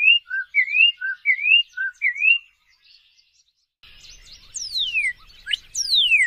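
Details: Northern cardinal song: clear whistled phrases, each a rising slurred note paired with a lower short note, repeated four times in quick succession, followed after a pause by different sweeping whistles dropping sharply in pitch and a faint low rumble.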